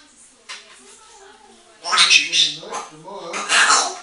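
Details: Female African grey parrot, eight years old and kept as a pet, babbling to herself indoors in a bathroom: soft murmured speech-like chatter, then two loud breathy, husky bursts echoing in the small room.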